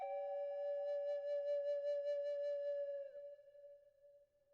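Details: A flute-like sustained tone with a slight wavering vibrato slides lower after three seconds and fades out, with no animal call.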